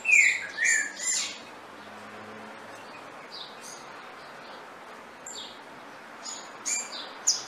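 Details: Saffron finch song: a burst of three bright, high chirps at the start, a long quiet stretch with faint notes, then a few more sharp chirps near the end.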